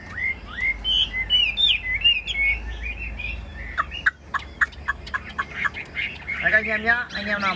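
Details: Chinese hwamei, a cage bird, sings sweeping whistles that give way to choppy, scratchy notes, finishing with a harsh, buzzy trilled passage.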